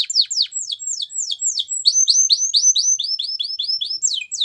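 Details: Belgian canary training song: descending slurred whistles, then a long run of quick looping notes repeated roughly five per second, rising and dropping in a bouncing pattern, clean with no background noise.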